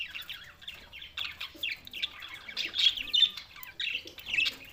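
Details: Budgerigars recorded in Larkana, Sindh, on June 7, 2024, producing a steady stream of raspy chirps and squawks, louder toward the end.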